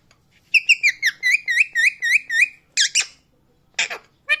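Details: Loud parrot chirping: a fast series of about ten bright, bouncing chirps with a slight upward hook, followed by a few harsher, broader squawky notes.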